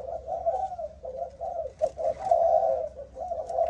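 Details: Malaysian-line spotted dove, 'âm thổ' style, delivering a nearly continuous run of throaty, wavering coos with brief dips between notes and faint clicks in the background.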